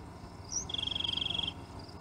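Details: A Rock Wren at the Royal Gorge outside Cañon City, Colorado, on 29 May 2016 gives a short high note, then a quick, dry, even trill lasting under a second. Faint low background rumble.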